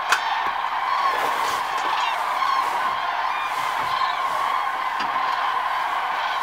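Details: Common cranes taking flight in the early morning at Lac d'Arjuzanx. A dense, continuous chorus of many overlapping trumpeting calls forms a steady loud wall of sound throughout, with no clear gaps between the callers.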